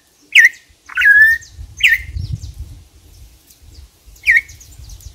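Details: Campo troupial giving sparse, clear whistled notes, each sliding downward, three in quick succession then a pause before a fourth, with low rumbling noise between.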